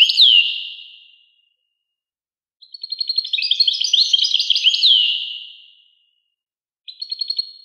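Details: A European goldfinch sings in separate phrases: a short twitter, a long silence, a lively tumbling string of tinkling notes with a falling slur, then a brief final fragment.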